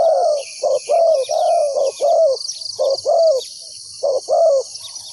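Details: Decoy spotted dove calling on the ground to draw wild doves into a trap, giving mellow, slightly falling coo notes in irregular runs, short notes mixed with longer ones, against constant insect drone.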